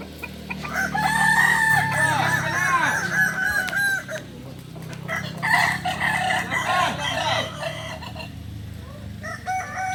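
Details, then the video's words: Several kokok balenggek roosters at a shared practice session in Solok crowing continuously; long multi-step crows rise and fall over a steady low hum throughout. "latberan ayam kukuak balenggek di solok"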